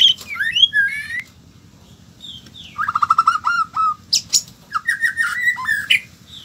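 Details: White-rumped shama singing a varied phrase: high whistled slurs, then a rapid run of repeated low whistled notes, a burst of sharp high chips and a string of rising whistles near the end.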